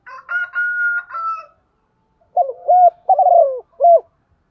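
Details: Morning calling of a decoy spotted dove: a rooster crows first, then the dove gives one low, hoarse three-part coo phrase with a rolling middle note and a short ending.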